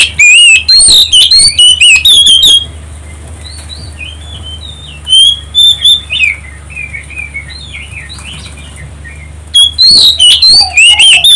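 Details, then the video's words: Lure song of an Oriental magpie-robin meant to make other birds sing: bursts of loud, sharp whistled phrases at the start and end, separated by quieter twittering from distant birds over a constant low hum. "pancingan kacer"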